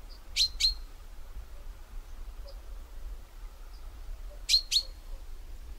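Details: Common chaffinch calling: two pairs of short, sharp, high 'pink' notes, one pair near the start and another about four seconds later, over a steady low rumble of background noise.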